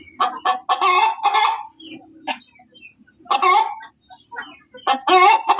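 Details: Hen giving loud cackles in short bursts of harsh clucking notes, broken by quiet gaps and a few faint higher chirps.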